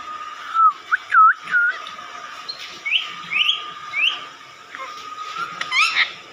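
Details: Parrot making clear whistled notes, some looping up and down and some short and rising, in scattered bursts. A steady tone runs underneath.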